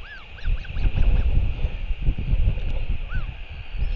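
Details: Royal albatross at a nest in New Zealand, evening of 28 March 2023 around 7:58 pm, as the father returns to feed the chick: a quick run of short arched, nasal tonal notes, then one more after a pause, over heavy wind rumble.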